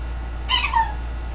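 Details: Captive green-winged macaw kept as a pet, giving one short harmonic call that starts bright and drops in pitch toward the end. A constant low background hum is present.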